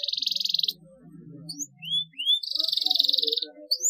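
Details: Canary chirping meant to stimulate quiet canaries to sing: a pulsing buzzy roll, a pause with two rising whistled notes, then another long rattling roll and a final rising whistle.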